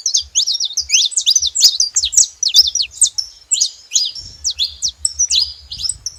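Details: Group of saffron finches noisily chirping: fast tumbling series of high sharp notes, many steep downward slurs, thinning toward the end, with a low hum in the background.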